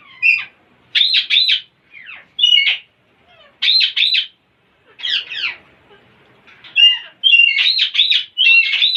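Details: Parrots making weird sounds and funny noises: a burst of bright, rapid chirping notes in short clusters, separated by brief pauses and repeated roughly once a second, with a few quieter squeaks between.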